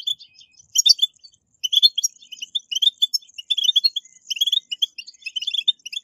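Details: Captive goldfinch encouragement track: European goldfinch giving continuous tinkling, high twittering song with fast chirps and occasional buzzy trills, pausing briefly after the first second.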